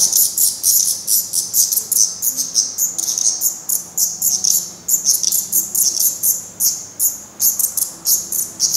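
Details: High, thin chirps from black redstart fledglings at a nest in Portugal, young that have tried first flights but are still being fed by parents; sharp calls come in quick bursts, several per second, with brief gaps.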